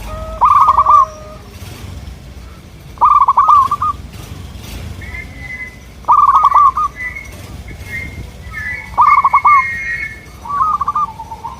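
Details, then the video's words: Zebra dove song used as a lure for local birds: loud, rapid, rattling coo phrases, about every three seconds, each followed by quieter, higher, drawn-out tones. "Sudah di buktikan dengan suara ini, burung perkutut lokal langsung nyaut jadi rame"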